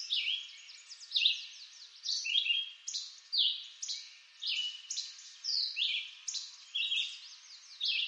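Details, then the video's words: Red-eyed vireo in eastern North American woods repeating quick, high, chirpy phrases about once a second, each phrase a short downslurred or upslurred whistle, with reverberation softening the pauses. "Red-eyed Vireo Bird Song"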